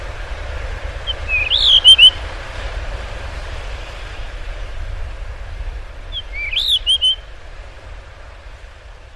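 A blue rock thrush gives two short, fluty whistled phrases about five seconds apart, each swooping up then down. A steady low rumble runs underneath.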